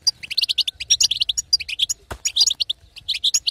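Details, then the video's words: Short burst of female European goldfinch 'batbata' calling, intended to stimulate a male to sing: quick, high, buzzy-edged chirps packed closely together, with one sharp click partway through. "بتبته حسون تهيج وتهبل الحسون الساكت"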